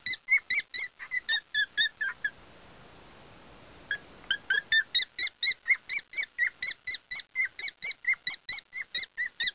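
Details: A cockatiel in breeding condition (estrus) gives a courtship love song of rapid, bright chirping notes in steady runs.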